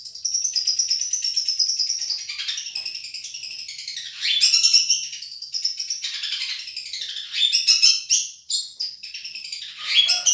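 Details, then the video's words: Long-tailed shrike, Madura type, tutoring song: a dense, continuous warbling medley of high trills, chatters and whistled sweeps that varies constantly, with sharp high notes toward the end. "Suara Juara Nih!!! Cendet Madura CMS"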